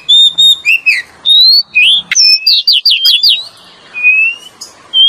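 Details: Oriental magpie-robin (Copsychus saularis) song used as a lure, said to be male and female voices: loud, varied phrases of clear whistles, quick upslurs and rapid scratchy trills, with brief pauses between phrases.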